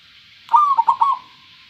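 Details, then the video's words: Local zebra dove with a clear voice giving one short cooing phrase: a bright rising-falling opening note followed by three quick staccato coos, with steady high hiss behind. "perkutut lokal suara jernih"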